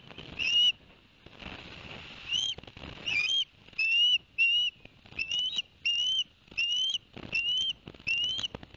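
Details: Ospreys at a nest at Barnegat Light, New Jersey, on 11 September 2021, after the adult male delivered two fish to the young: sharp, high whistled chirps with upslurred notes, given in bursts roughly every half second with short pauses.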